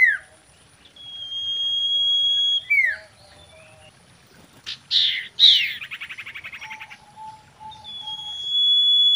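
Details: Common iora song, said to be a breeding female used as a lure: a long drawn, steady high whistle, a dropping slur, then a harsh chattering burst and rapid trill, lower soft notes, and another long whistle.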